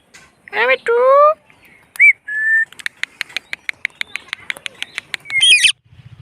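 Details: Indian ringneck parrot, a rose-ringed parakeet, speaking "mitthu mummy" in the afternoon: two voiced, speech-like syllables, a short curling whistle and a steady whistled note, then a series of sharp clicks and a final high squeaky phrase.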